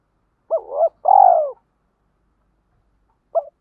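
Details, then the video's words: Spotted dove in 'Hạp Bổi' voice style, calling and cooing: a double hooked note, then one long burry coo that falls away, silence, and a faint clipped note at the end. "Tiếng Cu Gáy Giọng Hạp BổI [ GÁY GỌI,THÚC,GÙ ]"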